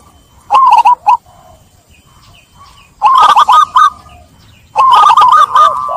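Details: Zebra dove song used as a lure to revive cooing in doves stressed by trapping: three loud bursts of fast rolling coos, the last ending in a sustained tone, over low background hiss.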